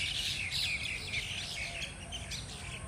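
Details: Mynas ganging up and fighting in a group: clear whistled notes slurring up and down, mixed with harsh chattering, over steady low background rumble.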